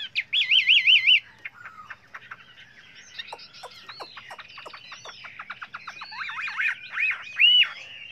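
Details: Chinese hwamei singing many varied voices for training: opens with a fast warbled vibrato whistle, then a quieter run of clicking, chattering notes, ending in loud looped whistles.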